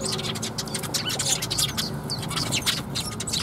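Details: Sparrows gathering to be fed at Mizukami bridge, 1 April 2021, give a busy overlapping chatter of quick high chirps and tweets throughout, with a steady low background hum beneath.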